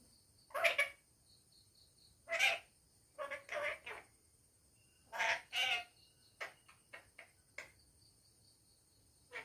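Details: Household parrot talking at home: scattered, sharp, speech-like syllables in small clusters, some single, some doubled, spread over nine seconds, with a faint high tonal hum throughout.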